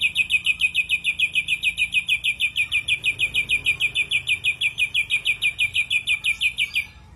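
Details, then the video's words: Rough 'shot' song of an ashy drongo: an even, rapid stream of scratchy high notes, about three per second, sustained for nearly seven seconds with no other sounds. "Tembakan Kasar Srigunting Abuabu"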